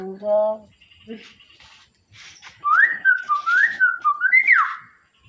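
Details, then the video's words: A talking pet hill myna gives a short, voice-like spoken greeting, then a run of loud whistled notes that rise and fall over about two seconds. "Burung Beo Yang Menyapa"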